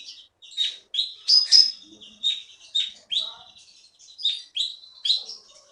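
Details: Singing keety (konin) from Bangka forest, Indonesia, a prize-winning caged bird: bright downslurred whistled notes repeated roughly every half second, a few louder doubled notes, quiet background.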